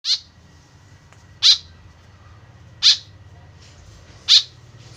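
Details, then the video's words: Tame white-breasted woodswallow calling actively, its sound used as a lure to draw birds closer: harsh, scratchy, high calls repeated roughly every second and a half, four in five seconds, over a faint low hum. "BURUNG KEKEP BABI GACOR SUARA JADI PIKATAN . SUARA BURUNG KEKEP MENDEKAT"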